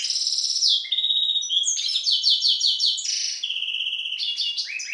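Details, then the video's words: Hybrid goldfinch descended from the Balkan goldfinch subspecies sings continuously: fast high chirps, sustained buzzy trills, and clipped lower notes blending into a lively, unbroken twittering stream. "Singing the bastard Carduelis carduelis. Balcanika ( Śpiew bastarda po C.c. Balcanika )"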